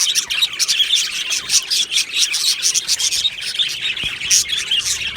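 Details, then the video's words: Australian budgerigars in an aviary colony, recorded 22 June 2025, singing and chirping: a dense, unbroken chorus of high, rapid twittering and scratchy warbled chirps from many birds at once, pulsing in short bursts with no pause. "Budgie singing sounds | Budgie chirping sounds"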